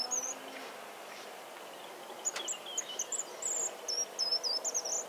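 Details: A short-toed treecreeper in countryside in central France (Nouvelle-Aquitaine) on 13 March 2018 gives calls and song: very high, thin piping notes, then a quick run of short, sharp notes, over faint hiss.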